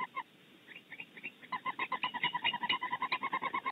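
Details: Barn owl pair defending their nest cavity at Starr Ranch, California, with a fast series of short, nasal, harmonic twittering notes, about two to three per second, that build in loudness after a hesitant start.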